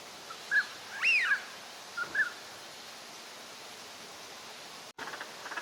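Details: Northern pintail (Anas acuta) in a park at Junsai-ike green area, Chiba, Japan, wintering ducks filmed January 2026; one loud arched whistle flanked by brief soft whistled notes, then steady background hiss.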